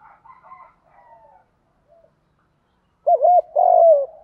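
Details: Spotted dove call for stimulating other doves: faint distant coos first, then a loud close phrase of a wavering double coo and a long descending coo.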